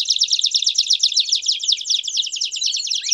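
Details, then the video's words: A canary's steady, very fast high trill from a campainha-style song with chirps, intended as a model for young canaries; an even rattling roll throughout. "Canto Campainha Com Piados Top Para Treinar o Canto de Canarios Filhotes!!!"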